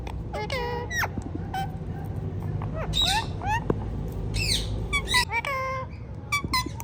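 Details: Talking ringneck parrots produce dense strings of high, buzzy, speech-like syllables and rising whistled inflections, with several sharper squawks midway, above a constant low hum.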